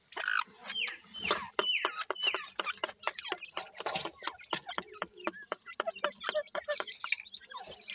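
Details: Twenty-day-old grey francolin (Irani francolin) chicks kept in captivity: a few falling peeps early on, then dense rapid clicking and tapping with occasional faint chirps running through to the end.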